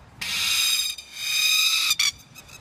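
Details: A plover attacking a person gives a harsh, rasping alarm call: a long grating rattle for nearly two seconds, then one short burst, while being shooed away.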